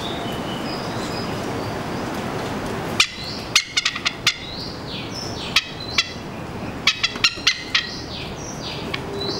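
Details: Two Oriental pied hornbills perched on a TV aerial above a house in Singapore call noisily, individually and together, while exchanging pecks: harsh, loud cackling notes in quick clusters after three quiet seconds, with an Oriental magpie-robin singing high and clear behind.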